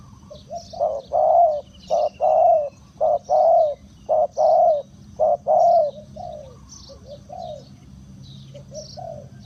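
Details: Decoy spotted dove luring wild birds, delivering loud, hollow coos in short bursts about once a second, then softer trailing coos, with faint high bird chirps in the background.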